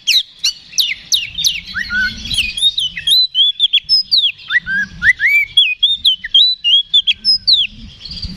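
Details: Oriental magpie-robin singing loud ngeplong fighting song as a lure to anger another bird into answering: rapid run of clear, sharply slurred whistles, rising and falling, about three notes a second, with faint low background rumble.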